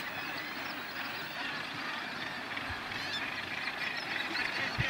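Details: Northern gannets (Morus bassanus), an adult with a chick, at Bempton Cliffs, East Yorkshire, on 28 July 2012, keep up a dense, harsh, honking chatter, many birds overlapping with rapid grating calls; wind rumbles faintly underneath.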